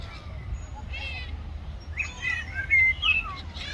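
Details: Several seagulls quarrel over food with scratchy, layered squawks and thin rising squeals, the loudest near the end, over a low continuous hum.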